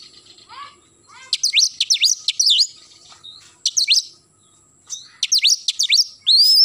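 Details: Oriental magpie-robin singing in the morning, soft rising notes at first, then loud groups of sharp high dipping whistles in quick clusters, closing on an upward-swept whistle.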